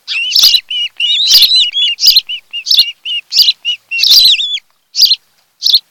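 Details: Osprey pair at a nest on Kent Island, Maryland, Chesapeake area, filmed by nest camera on 26 July 2018 in the afternoon: bursts of high whistled chirps and slurred squealing notes, broken by short pauses.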